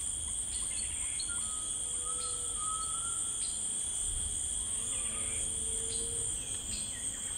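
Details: In rainforest, a grey tinamou gives long, clear, even whistles at two pitches, spaced across a few seconds, against a dense shrill buzz of insects.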